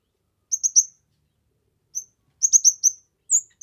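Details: Kemade singing in a gacor, full-voiced style used as a master recording for training, trapping and luring birds: short bursts of high, sharp chirps and slurred whistles separated by pauses, otherwise quiet.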